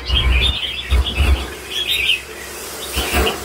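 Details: Red-whiskered bulbul, an older caged bird, giving short burbling warbles of slurred notes, broken by heavy low bumps and thuds from its surroundings.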